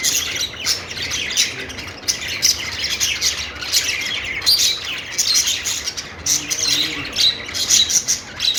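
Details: Perched budgies in happy song: busy, scratchy chatter mixed with sharp squeaky notes and short squawks, delivered in rapid clusters with slight lulls.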